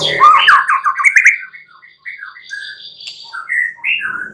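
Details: Night-time white-rumped shama lure song to encourage singing: a loud jumble of warbled notes, then softer, spaced whistled phrases rising and falling.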